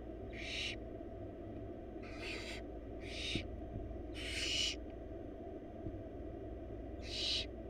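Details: Four wild barn owl nestlings in a nest box while the mother delivers a huge rabbit; rasping hissed screeches at irregular gaps, five across nearly eight seconds, with a constant low droning hum beneath.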